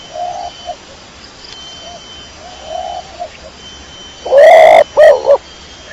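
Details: A kecor domestic pigeon first coos quietly several times, then gives one loud rising coo followed by a doubled short note near the end.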